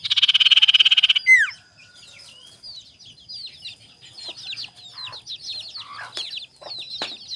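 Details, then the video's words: A tame, captive common iora calling for a rival gives a harsh buzzing burst, then a fast run of sharp, high chirps and slurred whistles, about three notes a second. "SUARA CIPOW CARI LAWAN"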